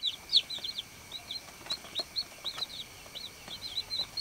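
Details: Baby chicks on a farm giving soft, short, high peeps, scattered and irregular, fairly faint against a steady background hiss and hum.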